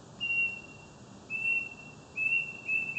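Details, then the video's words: Bird singing at night in Kuching, East Malaysia: long, steady, high pure whistled notes, each held about half a second, repeated three times with short gaps, over a soft hiss of background noise. "Bird song at night"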